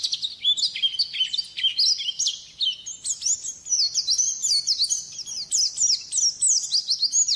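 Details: Training song of a white-eye for songbird keepers: an unbroken, lively chatter of high, thin, slurred whistles that climbs slightly in pitch and keeps up a fast, jumbled rhythm throughout.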